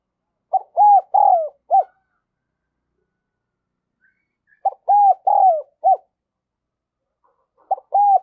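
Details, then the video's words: Decoy spotted dove with the 'đồng son' voice, cooing to lure wild doves. Two full four-note phrases roughly four seconds apart, each with long arching middle coos, and the start of a third phrase at the end. "Chim Cu Mồi Giọng Đồng Son gáy Gọi, Kích Bổi Cực Nhạy"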